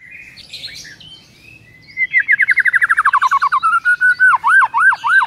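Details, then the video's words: White-rumped shama song used to get a silent bird singing: soft warbles, then a fast falling series of clear notes and a run of repeated looping whistles. "MURAI BISU LANGSUNG GACOR DENGAN PANCINGAN INI"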